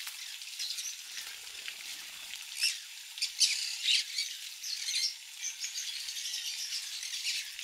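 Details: Several captive conures eating mealworm egg food: harsh, scratchy squawks above a steady hiss of overlapping chatter, with louder bursts clustered between three and five seconds.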